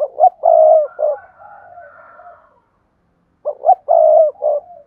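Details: Spotted dove call meant to get other doves cooing: a rising two-note start, a long level coo and a shorter final note, with a soft murmuring tail, repeated after a pause of about a second.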